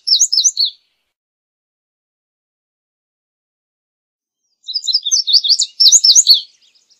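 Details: Indigo bunting song: a short, high burst of quick paired notes, then a long silence and a second, longer phrase of rapid sweet slurred notes, clean background.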